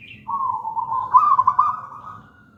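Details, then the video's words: Gedang rojo local zebra dove in active song, used as master song: a brief higher chirp, then one long bubbling coo swelling into rapid stuttered trills before fading out. "Perkutut lokal gedang rojo gacor merdu bird voice"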